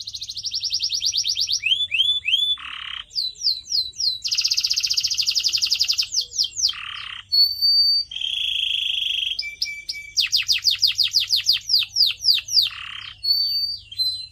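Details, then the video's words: Extended canary song for pet bird training: varied phrases of rapid repeated whistles, dense buzzy trills, coarse low rolls and thin sustained whistles, changing every second or two across the whole passage. "CANARY SINGING SOUND"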